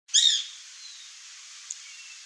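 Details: White woodpecker (Melanerpes candidus), also known as pica-pau-branco, birro or cri-cri: one loud, brief, harsh harmonic note near the start, then quiet background with a faint tick.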